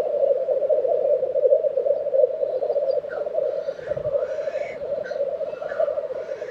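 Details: Black grouse bubbling without pause at an April 2023 lek in Tiveden, Sweden, a dense low murmur overlaid by soft scattered chirps and calls from other birds.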